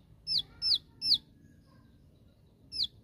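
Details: Bar-winged prinia, 'tembakan' rival-calling song: three quick high downslurred notes, more than a second of quiet, then one more note, with soft low noise throughout.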